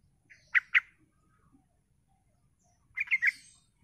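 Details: Sooty-headed bulbul lure to make other birds reply: a quick double chirp, a short gap, then a rapid bubbly run of three notes over soft low background noise.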